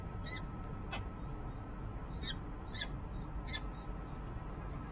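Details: Peregrine falcon, the resident female, calls from a nest ledge on a Harrisburg, Pennsylvania, office building in winter. Scattered harsh notes come every half second or so against steady low rumble and a faint tone.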